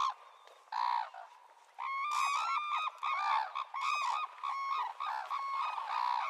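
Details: Red-crowned cranes give loud, bugling, trumpet-like calls with rich overtones, at first in short bursts and then overlapping almost without pause.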